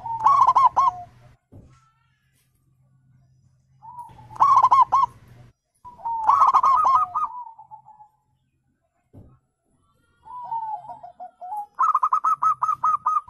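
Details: Zebra dove calls meant to make caged doves respond: short clusters of rolling coos with soft trailing notes and long silences, ending in a rapid run of even coos, over a steady low hum.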